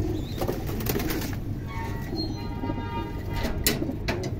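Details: Pigeons returning home to their loft give low, soft cooing over steady background rumble, with bursts of wing flapping.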